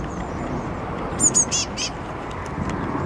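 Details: Great tit chick on a balcony in late May, waiting to be fed, gives a short burst of high, thin begging notes over steady background hum.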